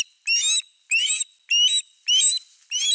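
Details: Osprey calling at its Finnish camera nest with a fish, 4 August 2024: five rapid, piercing, whistled notes, each sliding upward, delivered almost back to back within three seconds.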